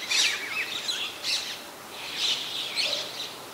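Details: White-vented myna in Ubon Ratchathani, Thailand, 21 October 2021: harsh, scratchy chattering bursts spread across high pitches, four loud clusters over three and a half seconds with short squeaky notes between, in open outdoor surroundings.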